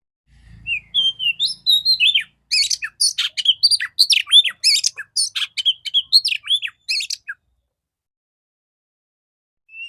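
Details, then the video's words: Clear-voiced female Oriental magpie-robin in a morning lure for stimulating males: soft rising whistles build into about five seconds of quick, varied whistles and buzzy chatter, then silence. "Terapi burung kacer betina suara bening pancingan pagi hari segarkan kacer jantan"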